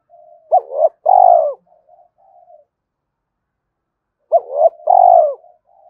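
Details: Calling spotted dove luring others of its kind: two identical phrases about four seconds apart, each short arched coos leading into a long loud rolling coo, with soft coos trailing after.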